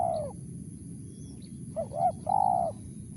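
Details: Crisp 'mersik' call of a wild spotted dove: a long coo fading out, then two short hollow notes and a longer sustained coo, over a constant low background hum.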